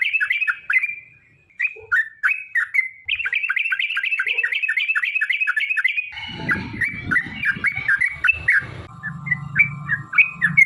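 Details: Sooty-headed bulbul in long rapid 'ropel' song, meant as a lure to set other bulbuls singing: strings of sharp falling chirps, later joined by low rumbling and a steady humming tone.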